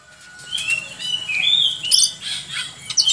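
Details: Oriental magpie-robin (kacer) singing energetically, recorded as a tutor song for training other birds: soft, slightly buzzy high whistles and scratchy notes in uneven phrases over a faint low hum, growing louder toward the end.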